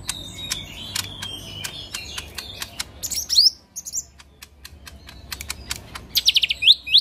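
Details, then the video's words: Lesser green leafbird in 'tembakan kasar' song: a single sharp upward whistle midway, then a closing fast volley of high stuttered notes, over dense rhythmic clicking. "Cucak Ijo Mini Gacor Full Tembakan Kasar"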